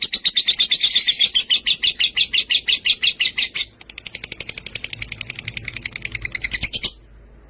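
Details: Lovebirds, sky blue opaline and green opaline, chirping in a fast, steady series of sharp, high chirps, about three each second. A brief pause comes mid-way before a slightly softer run, which ends abruptly.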